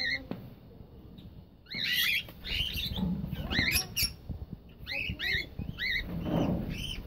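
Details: Colony of breeding cockatiels giving repeated short arched chirps and harsh squawks from several birds, mixed with rustling and thumping sounds of movement in the enclosure.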